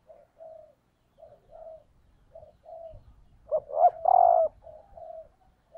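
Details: A female spotted dove lure calls to stimulate males. Soft, short cooing notes repeat, then one loud three-part phrase ending in a long falling coo, followed by more soft notes. Low rumbling handling noise is heard midway.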